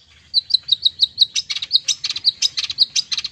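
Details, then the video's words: Long-tailed shrike, known as cendet, in a full song for training silent birds: fast series of high chip and whistled notes, about two per second, mixing clear sharp tones with rougher buzzy syllables. "Cendet BISU, MIYIK dan LELET bakal gacor dengan terapi suara CENDET Full Isian"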